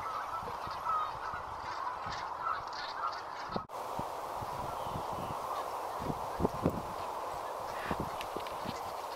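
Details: Many brent geese on the River Exe produce a constant low gabbling murmur with soft overlapping croaks. Scattered faint knocks and a brief cut in the sound occur partway through.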